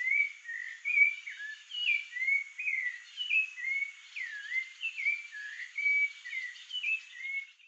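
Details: Rufous-bellied thrush, Turdus rufiventris, singing while guarding the area around its nest in Brazil: an unbroken string of varied clear whistled phrases, some rising, some dipping, about one a second, over a soft hiss.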